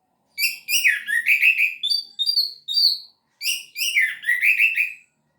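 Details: Full gacor teler song of an orange-headed thrush: two long bursts of varied chattering and whistled notes, with rapid slurs mixed with clearer higher whistles. Each burst is repeated and separated by a short pause. The background is clean.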